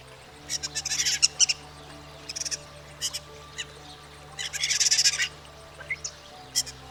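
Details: European Starling singing to impress potential partners in mating season: harsh rattling bursts and dry clicking trills separated by pauses, with a soft steady hum underneath.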